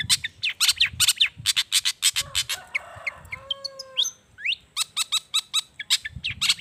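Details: Long-tailed shrike singing loudly with imitated wild-bird phrases, used as a lure for reluctant shrikes; rapid runs of harsh rasping notes frame a middle section of drawn whistles and sliding high notes, over faint low rumble.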